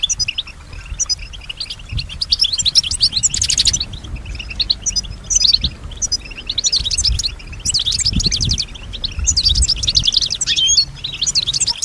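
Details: European goldfinch in song, responding to and imitating sounds around it; repeated phrases of fast tinkling twitter with buzzy rattles, separated by short pauses, over faint low background noise.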